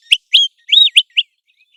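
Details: American golden plover calling, heard during migration and breeding seasons: five short, loud, clear whistled notes, some arched and slurred, given in quick succession within just over a second, then quiet.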